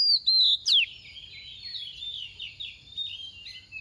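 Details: Oriental magpie-robin used as a soft decoy, singing its 'tìu tíu tiu' phrase to spur other magpie-robins to sing. Three loud, sharp whistled notes in quick succession open the clip, then a quieter, rambling warble at a high pitch.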